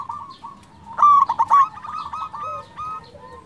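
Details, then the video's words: Cooing of a local zebra dove, used as a lure to raise rivals' mood and make them reply: a loud, rolling, trilled coo in the middle, surrounded by quieter drawn-out coos and a soft low hum. "Perkutut lokal gacor suara merdu cocok untuk pancingan di jamin bikin lawan nyaut"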